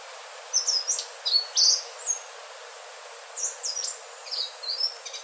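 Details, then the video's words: Sikatan ninon, the Indigo flycatcher or selendang biru, gives sweet, high whistled notes in two loose phrases. The notes are quick and slurred, with a longer gap between the phrases, over constant low hiss. "Suara merdu sikatan ninon/ burung selendang biru"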